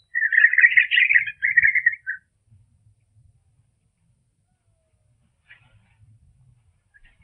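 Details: European robin song played at half speed, revealing its high notes and modulations: one dense two-second phrase of fluttering warbled notes, then near silence with faint low rumble.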